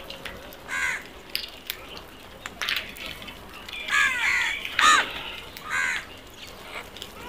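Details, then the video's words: Crows calling with scattered hoarse caws, a louder overlapping pair near the end, amid faint background noise and clicks. "Crows Fabulous sounds"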